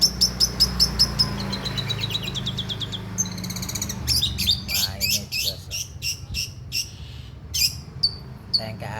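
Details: Long-tailed shrike, a competition-class bird, singing with mimicked stork-billed kingfisher phrases: rapid high chips repeated in a quick run, then harsh buzzy bursts and scattered sharp notes over a steady low hum.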